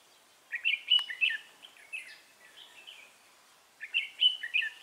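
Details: Fighting song of a Red-whiskered bulbul decoy bird used for trapping, recorded 3 November 2018: two clusters of quick, liquid, chattering whistled phrases separated by a pause of about a second, with a sharp click early on.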